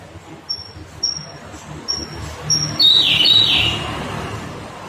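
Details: Siberian blue robin song: four thin, high, drawn-out whistled notes spaced about half a second apart, then a fast, lower, twittering trill.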